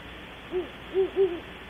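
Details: Around 3 am at Audubon Starr Ranch, California, a great horned owl gives three low, quiet hoots in quick succession, the last two close together and slightly drawn out, against a soft hissing background.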